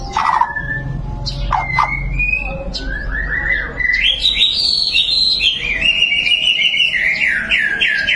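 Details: White-rumped shama singing a varied, lively run of clear whistled phrases, with short sharp notes at first, then rising and falling slurred whistles and rapid trilled bursts; a low hum sounds beneath early on.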